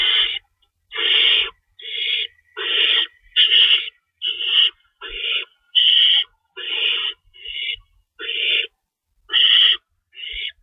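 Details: Feeding time at an owl nest in the early morning hours of March 25, 2012. Steady volleys of harsh, wheezing screeches, about fourteen in all, follow one another closely with short gaps.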